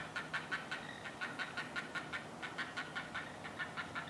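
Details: Hungry great blue heron chicks whining at their nest in a longleaf pine; fast repeated ticking clicks, nearly three a second, steady and mechanical in rhythm.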